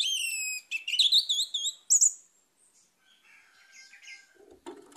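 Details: Orange-headed thrush holds a long, level whistled note, then a fast run of wavy, rippling notes and a bright high phrase, ending in quieter twitters and a knock.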